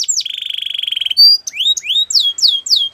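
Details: ['Russian canary singing a training song: a sharp downslurred note, then a long, even buzzy roll of rapid pulses, then a bright high whistle and a series of rising swept notes.']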